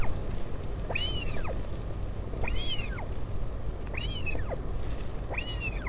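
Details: Northern royal albatross at its colony on Taiaroa Head near Dunedin, New Zealand, during a parent's visit to its chick, 16 July 2019. Four arched, rising-then-falling whining calls come about every one and a half seconds over steady low wind rumble.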